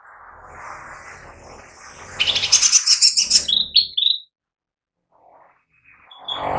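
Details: Lesser green leafbird gives a two-second burst of rapid, high, chattering twitters ending in a few clear whistled notes; a soft murmuring background comes before it, and faint sounds follow after a pause.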